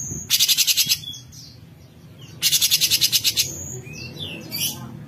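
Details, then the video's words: Straw-headed bulbul besetan song, used as a tutor recording for murai and green leafbirds: two bursts of rapid, harsh, high pulsed notes, about eight pulses each, with softer thin whistles and slurred notes between. "Suara Besetan Cucok Cungkok - Masteran Handal Buat Burung , Murai ,C Ijo Dll"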